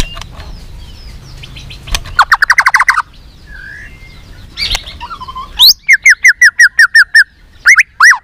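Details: White-rumped shama song for stimulating other shamas to sing: a quick burst of rapid notes, a soft pause with quieter sounds, then a steady run of about ten loud, evenly spaced, downslurred whistled notes and a final rising phrase.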